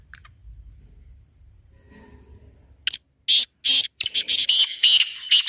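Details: Black francolin calling, a sound played to make a francolin respond: after a faint humming lead-in, loud, harsh, scratchy notes burst out in a rapid irregular series, each rasping and broad, crowding together toward the end.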